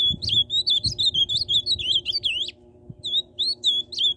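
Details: Tucano-style song of an ultramarine grosbeak: a fast, continuous run of looping, slurred whistles lasting over two seconds, a short break, then another lively warbled phrase, with a soft low background hum.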